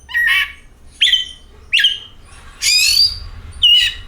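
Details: Oriental magpie-robin lure song: short slurred whistles repeated at irregular intervals of about a second, then a longer harsh rasping phrase and one more clear whistle.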